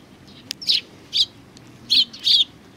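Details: Sparrows welcoming a visitor at a Tenmangu shrine on 3 July 2020; four clear chirps, each slightly downslurred, with uneven gaps and a faint tick before the first.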